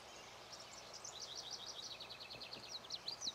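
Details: Lazuli Bunting singing at Charles M. Russell National Wildlife Refuge, Montana, USA, along the auto tour route: a rapid run of high, sharply paired and slurred notes, some rising and some falling, ending in brighter upswept notes over a steady background hiss.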